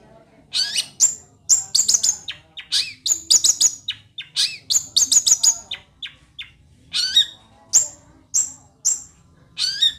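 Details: Aggressive long-tailed shrike singing in the style prized by songbird keepers; fast, varied high chattering phrases of sharp chips, harsh squawks and short whistles, in dense runs broken by brief pauses.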